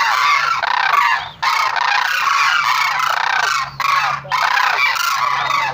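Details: Sarus cranes trumpeting: a dense, loud chorus of rough honks that continues almost without a break, with short dips in loudness.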